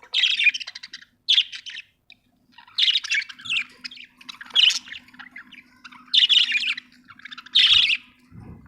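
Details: Budgerigar chirping: harsh, buzzy squawking chirps in short bursts roughly every one to one and a half seconds, with softer chatter between them and a faint steady low hum beneath.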